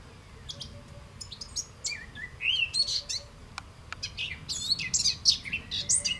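A European goldfinch sings a rapid, tinkling jumble of high twittering notes and liquid trills, building in the second half, over a faint low rumble.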